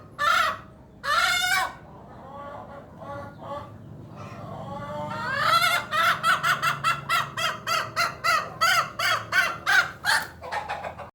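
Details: Hen uttering a strange, unique sound: two loud arched notes, a stretch of faint soft clucks, then a rapid, fairly steady series of about eighteen short harsh notes, nearly three per second.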